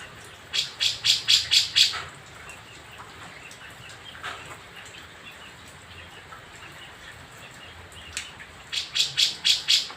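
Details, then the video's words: Grey-cheeked bulbul from Jember, East Java, Indonesia, newly caught from the wild, five days off the mountain and fed green pellet food and crickets: two bursts of rapid, evenly repeated high chips, about seven notes each, separated by quiet background hiss. "Cucak Jenggot Jawa Baru Turun Gunung"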